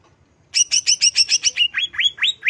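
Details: {'caption': 'Greater green leafbird singing to stir emotion: a string of fast doubled high chirps switching into slower, sharply upward-sweeping whistles.'}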